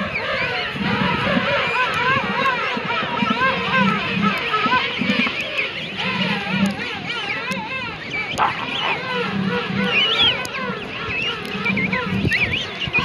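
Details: Dense chorus of king penguins at the Gold Harbour colony, South Georgia: many overlapping trumpeting, warbling calls that waver up and down in pitch, with no pause between callers.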